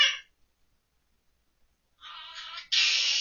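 A monk parakeet gives a brief harsh note, pauses, then runs into raspy, voice-like warbling that imitates a sung children's tune, ending louder and buzzier.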